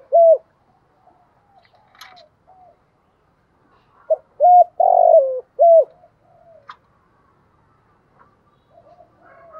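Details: Morning cooing of a decoy spotted dove kept to lure and stir wild doves. A single coo opens, then one full phrase of short hollow notes and a longer rough, falling coo, with faint clicks and bird chirps around.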